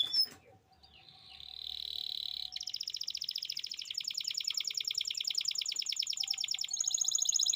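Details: Domestic canary in Indonesia singing a tutoring song for young birds: after a brief click, a steady buzzy whistle is followed by a long, rapid rolling trill and a higher closing trill. Background is quiet.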